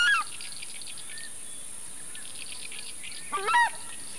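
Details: Southern screamer (Chauna torquata) gives two loud, brassy honks about three seconds apart, one at the start and one near the end, over faint chirping from other birds.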